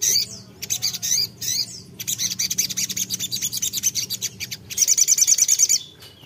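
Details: Sogok ontong (sogon) sunbird in vigorous song aimed at a rival: high chirps lead into a long, fast stuttering trill, ending in a dense shrill twitter before stopping.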